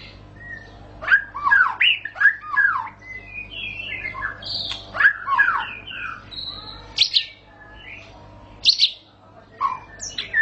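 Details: White-rumped shama (murai batu) in full song: rich varied phrases of loud whistled, sweeping and slurred notes, some rising, some falling, in bursts separated by short pauses, with a faint low hum behind.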